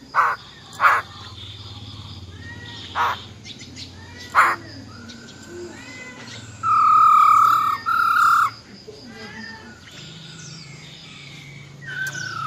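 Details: Wild-type song of a female silver-eared laughingthrush, meant to excite males. Scattered short, sharp notes give way to one long, steady, loud whistle near the middle. Faint slurred phrases and a low hum run underneath.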